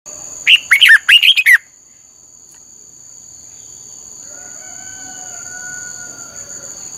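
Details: Red-whiskered bulbul singing in the intense 'căng lửa' style, used as lure song for training birds' voices: one quick phrase of about six bright, warbled, rising-and-falling notes, then quiet with a steady high electronic whine.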